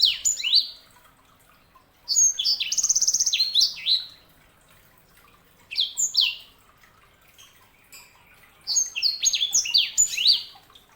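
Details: Sanger, a canary hybrid, singing in three bursts of high, rapidly falling whistled notes, each phrase a quick cascade of bright chirps, separated by short pauses; faint dripping water in the background.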